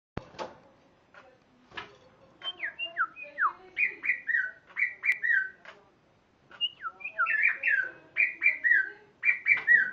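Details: Spotted morning-thrush singing: a run of clear whistled notes, each sliding down from high to lower pitch, delivered in quick series of about a second apart, with a pause midway and faint clicks early on.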